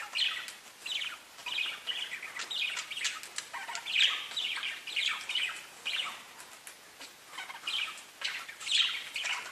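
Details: A constant stream of parakeet chirps and chirrups, short buzzy warbled notes tumbling one after another in a busy, lively exchange between the birds.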